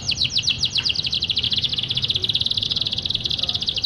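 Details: Canary in full, constant song, meant to coax reluctant canaries to sing: one unbroken rapid high trill of crisp repeated notes, about fifteen per second, steady and loud throughout, with faint low rumble underneath.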